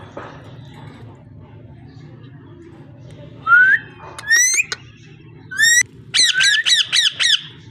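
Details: Parrot giving rising whistles after a quiet start, then a quick run of five squawking notes, with a low hum throughout.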